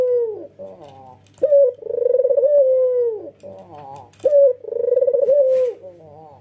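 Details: Nodding 'ngangguk' coos from a white, red-eyed male Barbary dove, loud and clear: a quick bright note, then a long pulsing low coo fading downward, repeated twice after a softer tremulous opening.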